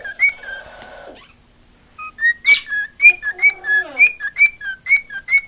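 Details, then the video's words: Female pet cockatiel that craves attention: raspy warbled phrase, a short silence, then a brisk series of alternating high and low whistled notes with a descending buzzy trill underneath. "Marigold Singing"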